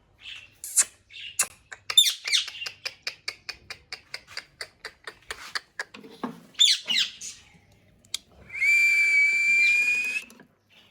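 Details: A talking parrot in its natural voice, indoors in a small room: quick bursts of clicks and chatter, scattered squawks, then a long steady high whistle near the end.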